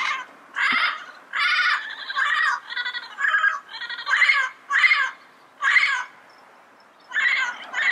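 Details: In the wild, yellow-headed parrots utter repeated loud, grating squawks about once a second, each note short and harsh, with a pause near the end.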